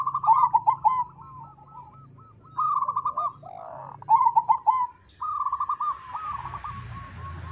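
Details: Crossing perkutut, a zebra dove type, cooing as a lure to prompt other birds to sing: bursts of quick, bubbling coo phrases separated by pauses, with a softer hiss toward the end.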